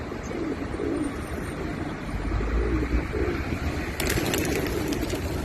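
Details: Several pigeons coo in low, throaty, rolling phrases that repeat every second or so. Near the end comes a brief flurry of higher chirps, all over a steady background rumble.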